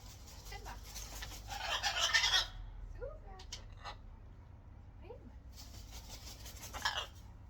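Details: Free-flying zoo macaws being recalled give harsh, raspy squawks in two bursts several seconds apart, with faint short whistles and a low background rumble between them.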